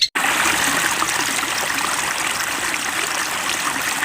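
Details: After a brief moment of silence, steady rushing stream water takes over, with no birds or other animals audible.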